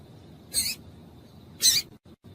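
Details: Female double-collared seedeater calling to excite males into singing: two short, high, scratchy chips about a second apart over a quiet, steady background hiss.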